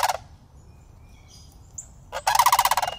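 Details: Two juvenile sandhill cranes approach a person in a city where they live year-round, recorded on iPhone; a rolling, rattling call cut off at the start, then a full purring rattle near the end, with a faint high whistle between.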